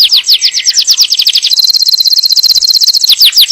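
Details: A yellow canary's song, aimed at readying the hen for breeding and teaching the young, runs as rapid repeated downslurred notes, then a fast even high trill, then quick descending notes again.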